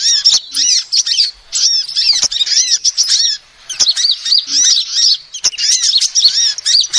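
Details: Female sunbird's lure call: bursts of quick, thin, high chirps and looping twitters about a second long, repeated with brief silent gaps between them.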